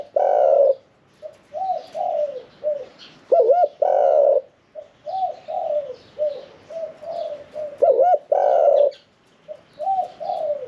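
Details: Medium-voiced caged spotted dove, one year four months in the cage, delivering Thai 'khan yon 1 kuk' cooing; soft hollow coos build into a stronger rolling climax, phrases repeating roughly every four seconds, some faint high chirping in the background.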